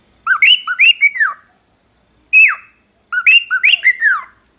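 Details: Original species song of a cockatiel, clean and close: a fast group of whistled, harmonically rich notes sliding up then down, one lone falling whistle, then a second similar run of rising-and-falling phrases.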